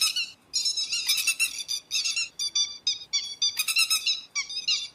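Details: Grey-headed lapwing calling, recorded as a lure for trapping with nets at night: near-continuous harsh, nasal notes in rapid chattering sequences, briefly pausing between bursts.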